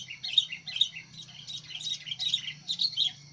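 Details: Chattering series of short, bright chirping and slurred notes in uneven bursts from a sooty-headed bulbul used as a decoy to draw wild birds into fights; low steady hum underneath.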